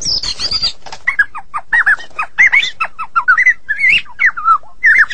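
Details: Shama, Medan type, singing 'gacor': a high scratchy burst opens, followed by a string of short, rising-and-falling whistled notes about a third of a second apart.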